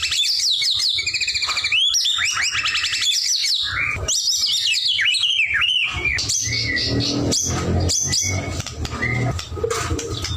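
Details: White-rumped shama pouring out energetic song: dense fast trills and ringing whistles at first, later sparser clear notes and pauses, with a soft low hum throughout.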